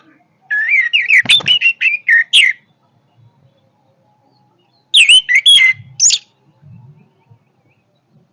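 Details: Orange-headed thrush delivering a strong song in two bursts: first a two-second stream of quick, warbled whistles, then after a pause a shorter run of sharp notes ending in a higher call.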